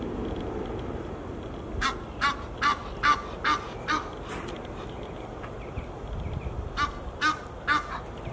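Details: Geese in Fort Lauderdale, Florida, USA: a run of short, harsh honks repeated about twice a second, a pause, then a few more honks, over steady background noise.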